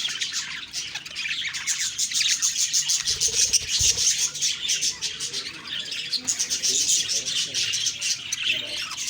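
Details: Budgerigars on the morning of October 2, 2023 keep up a constant high-pitched warbling chatter, rapid chirps piling over one another with no pause.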